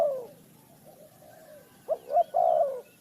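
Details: Spotted dove from a bird-trapping setting in Ninh Thuận: a fading coo at the start, then after a pause a clear phrase of two short hoots and a longer, wavering coo.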